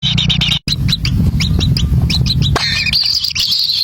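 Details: Wild kingfisher chicks at the nest, scrambling as a parent brings a black lizard: sharp high chirps and short rising squeaks in quick bursts, with a steady low rumble underneath and a brief gap early on.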